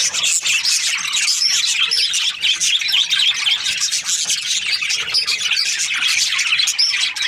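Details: Budgerigars from Australia chirping happily in the breeding season; a crowded, unbroken wash of scratchy squawks, short chirps and warbles from many birds overlapping throughout.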